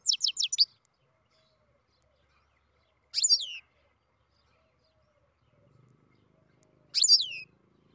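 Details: A captive-bred European goldfinch starts singing with a rapid string of five high ticks, then two falling, buzzy-edged sweeps about four seconds apart. A faint low hum is heard near the end.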